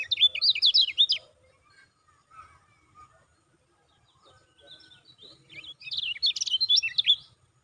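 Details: Lemon-bellied white-eye call used to stimulate caged birds into singing: two bursts of rapid, high, sharply down-slurred chirps, about a dozen each, with a quiet gap of faint scattered notes between them.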